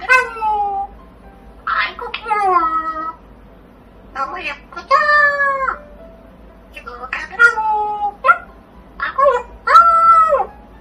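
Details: Pet parrot talking indoors, uttering a string of short voiced, speech-like phrases with falling, slurred pitch, separated by brief pauses.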